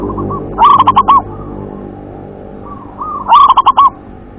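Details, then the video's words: Two loud phrases of five rapid, bouncing coos from a local zebra dove, WER-KE-TE-PEK style, about 2.7 seconds apart, with softer drawn-out coos between them. "suara perkutut lokal WER-KE-TE-PEK"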